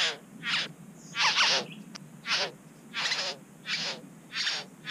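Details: At a bower in New South Wales, Australia, a Satin bowerbird records on a GoPro as the owner charges and pecks the camera. Loud hissing, crackly bursts come in a steady series of about eight over five seconds.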